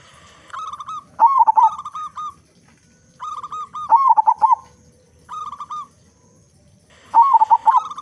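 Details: Big-voiced local zebra dove, a keen singer, recorded to lure other doves into song: runs of level coos and rolling bursts of curved notes alternate, four phrase groups over eight seconds.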